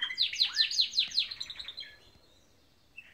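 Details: Morning song from canaries, opening with a run of repeated downward-sweeping whistles about five per second, then a quicker fading trill, ending in near silence with one short note.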